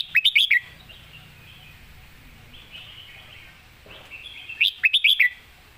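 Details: Red-whiskered bulbul kept as a competition singing bird, performing a clearly phrased 'master song' style: two bursts of quick, warbled, rising-and-falling whistled notes about four seconds apart, with faint background hiss between.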